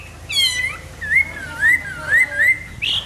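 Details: A hwamei's morning song made of a few long, clear whistles, each sliding and wavering, spaced about half a second apart, ending with a short higher note.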